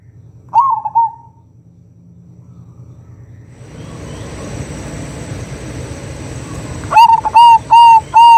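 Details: Local zebra dove (perkutut) song played as a lure for other doves: a brief coo early, a stretch of hissing background, then four loud, evenly repeated cooing notes closing the phrase.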